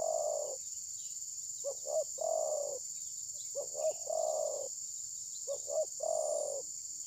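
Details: Spotted dove kept as a trapping decoy, refusing to attack, possibly moulting, phone recording: repeated cooing phrases, double short hoots leading into a long rough coo, about every two seconds, with a steady insect drone overhead.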